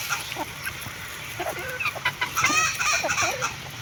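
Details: Feeding hen making soft, brief clucks and a few higher chirps, with pecking clicks and background hiss.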